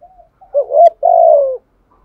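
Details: Spotted dove kept as a lure, cooing in the Đồng Son voice. A faint murmur leads into a rising two-part note, then a steady, mellow coo that falls gently at its end.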